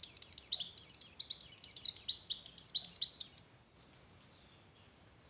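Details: Breeding-condition song of a Javan grey-throated white-eye, fluttering in style and meant to arouse other white-eyes: dense, very high chattering trills for about three seconds, then softer, sparser thin notes with a faint background hiss.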